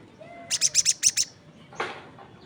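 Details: Crested jay calling, with other birds said to answer; five quick high ringing notes in a short even run, followed by a brief broad rustling sound.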